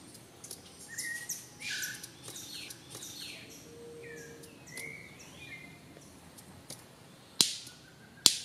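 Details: Male White-collared Manakin courting a female at his cleared dancing spot in Eco Centro Danaus, Costa Rica: two sharp, loud firecracker-like wing snaps about a second apart, over whistles and chirps of other forest birds.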